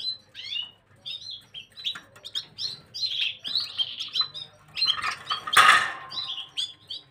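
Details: Gloster canary singing, recorded 9 January 2023: rapid sequences of short chirps and trilled notes, many high and bright, with a louder burst of broadband notes near the end.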